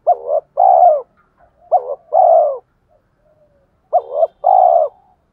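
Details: Decoy spotted dove, thổ pha voice style, calling to draw wild doves to fight: three paired phrases, each a quick wavering stutter then a sustained, warm, gently descending coo, about two seconds apart, in a quiet background.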